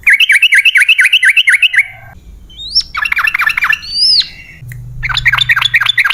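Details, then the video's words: Yellow-vented bulbul lure recording for caged birds: fast V-shaped chirped notes in a steady run, broken by high rising whistles, with a low hum in the background before the chatter returns. "Pancingan Trucukan PALING AMPUH! Burung Langsung Ngalas & Nyaut Gacor"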